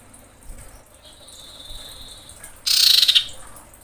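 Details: Common iora female calling to males: a long, even, high whistle held for over a second, then a loud, harsh, fast-pulsed rattle.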